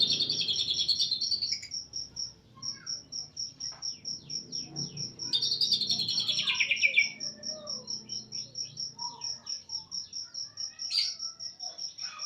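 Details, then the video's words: East Java greater green leafbird delivering cililin-style phrases: loud rushes of rapid, descending high twitters around two and six seconds, then scattered sliding notes, all over a constant run of high repeated beeps. "Burung cucak ijo jatim tembakan cililin"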